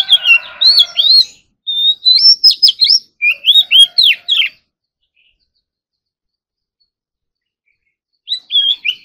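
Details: Oriental magpie-robin in morning singing practice, delivering a contest-style song with mimicry. Quick runs of bright whistled notes, slurred up and down, come in two bursts. A pause of about four seconds follows, then a short whistled phrase returns near the end.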